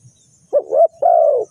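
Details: One full phrase from a spotted dove used as a lure for trapping birds: a short coo, a rising slurred coo, then a long, level-to-falling croo, loud and clear.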